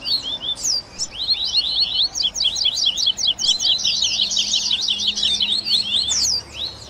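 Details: Double-collared seedeater baderna for training captive birds, blending tui tui song with grego, viviti, flauteado and third-note variants: a few spaced high chirps building into a fast, continuous run of crisp whistled notes, with a faint steady hum.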